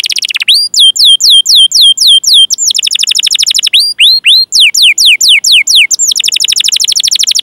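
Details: Long canary song with chirps and rolls, meant to lure young, untrained or silent canaries into singing. Bright upward-curling whistled notes repeat in quick runs, with short pauses, then faster rolling sequences.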